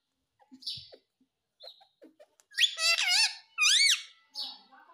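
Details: Caged Indian ringneck parrot at home indoors mimicking the words "mummy papa", giving loud harmonic squawky syllables with rising and falling notes after soft clicks and squeaks in a quiet small room.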